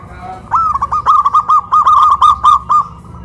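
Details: Caged local zebra dove hoisted on a pole in Kuningan, West Java, singing loud and clear: one long phrase of rapid, evenly spaced staccato coos rolling for over two seconds, with a faint low hum behind.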